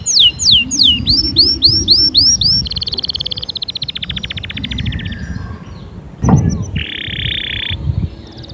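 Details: Canary song for stimulating other canaries: repeated falling then rising swoops, a dense high trill, then a lower rapid rattling roll. After a brief knock comes a harsh buzzy burst.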